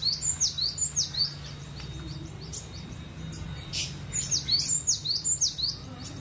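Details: Cinereous tit singing freely and relaxed: high, thin two-part whistles sliding downward, repeated in quick bursts of about six phrases, a brief pause mid-way, then another run; faint low hum underneath.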